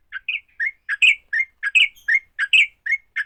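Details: Short burst of a sooty-headed bulbul's fighting song, used to make other bulbuls sing fast: paired notes, a low slurred note followed by a higher bright one, repeating about every half second.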